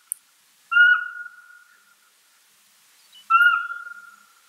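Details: Owl giving two drawn-out whistles about two and a half seconds apart. Each begins abruptly, holds a steady even tone and then fades. The background is silent apart from a brief tick at the start.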